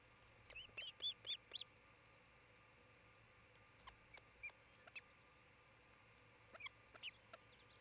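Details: An osprey at the Charlo, Montana nest, camera recording from 27 June 2018; an opening flurry of five shrill chirps, then scattered single whistles and a short pair, with a faint steady hum underneath.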